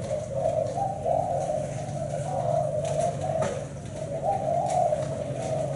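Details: Thai-strain black-spotted spotted dove, valued for a seven-note 'bảy sị' song, delivering mellow throaty coos in rising and falling phrases with brief gaps, over a constant low background drone.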